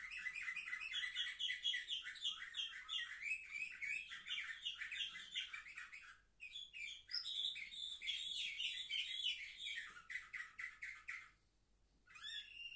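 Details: A vigorous canary song from seven-month-old birds, recorded on 10 November 2023. Fast rattling trills repeat several times a second, pause briefly, then resume. The song stops for a moment before a final rising note.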